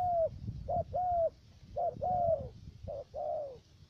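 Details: Spotted dove decoy for trapping, three-note voice, U Minh, Khánh Hòa commune, Cà Mau, Vietnam; loud close coos, each a clipped note followed by a long smooth slightly falling note, three phrases in quick succession.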